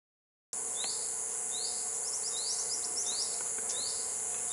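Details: Bar-winged flycatcher-shrike (Hemipus picatus) in Khao Sok, Thailand, giving thin, high, upslurred chips in quick, uneven bursts, about a dozen in four seconds, over a steady shrill drone of insects.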